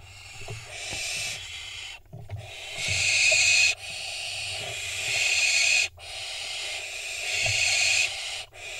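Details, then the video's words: Barn owl fledglings at a nest camera in Israel, 25 June 2021, jockeying for position before a prey drop: long loud hissing rasps, each a second or more, overlapping and broken by short gaps. "Barn owl fledglings jockeying for position before prey drop."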